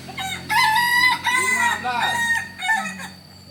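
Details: Solok-bred Kukuak Balenggek rooster crowing, a long ringing crow broken into several stepped, wavering syllables over about two seconds, followed by a shorter trailing note, with a faint steady hum behind.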